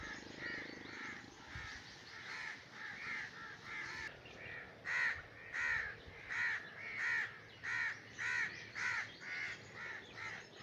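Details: Raven in breeding season: softer overlapping caws at first, then about ten loud, rasping caws repeated roughly every half second to three quarters of a second in a steady series.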